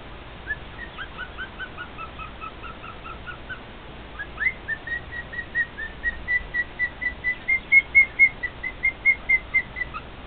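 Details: Male cockatiel singing to two companion cockatiels: a quick run of paired whistled notes, then a long steady sequence of clear whistles that grow louder and slightly higher, repeated about twice a second.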